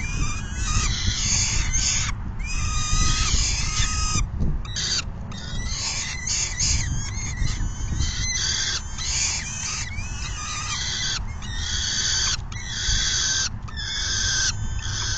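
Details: Peregrine falcons at a nest during a full feeding, recorded June 10, 2022, in the afternoon. Rapid bursts of grating, screechy calls repeat many times with short gaps, dense and insistent, over constant low rumbling noise.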